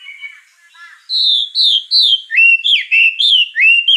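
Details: White-rumped shama song with fill-in phrases: after a faint opening, a run of loud, clear whistled notes between about 2 and 5k, sliding and bending, repeated roughly every quarter second with no other sounds.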